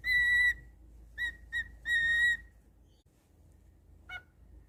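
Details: Pet cockatiel whistling: a long steady whistled note, then two short notes and another long sustained note, all at the same clear pitch, followed by near silence and one faint short note.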